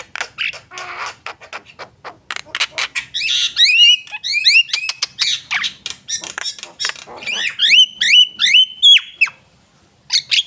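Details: Javan myna in vigorous song: a dense, fast run of squawking and chattering notes with repeated sharp upslurred whistles, a steady stream of phrases, a short break, then more chatter.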